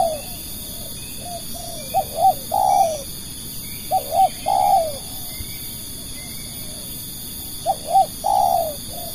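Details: Spotted dove kept as a lure bird for attracting other doves: soft, low cooing phrases of two short notes followed by a longer drawn-out coo, repeated three times, over a steady high electronic-sounding hum.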